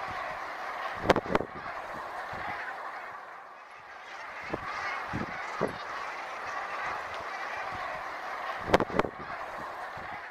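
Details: Brent geese on the River Exe: a steady, dense murmuring babble of many low croaking voices blending together. A few sharp clicks or knocks sound near the start and end.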